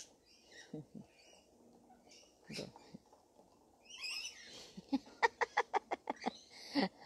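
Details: Rainbow lorikeets in a feeding frenzy: a burst of harsh, clipped screeches in a rapid series near the end, some eight sharp notes within two seconds, following people talking and laughing in Spanish.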